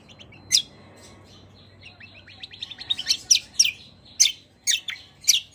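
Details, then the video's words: Greater green leafbird singing the kecial kombo style with long rolls, reported to reply straight away to any kecial kombo; one sharp note, a quiet stretch, then a building rapid roll of chirps leading into loud, steeply falling whistled notes. "CUCAK KOMBO KECIAL KOMBO ROLL PANJANG GACORR||KECIAL KOMBO MANAPUN LANGSUNG NYAUT"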